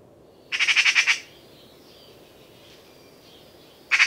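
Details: Eurasian magpie giving a harsh, rattling chatter of about six rapid dry notes over under a second, then silence before a second chatter begins at the very end; quiet background.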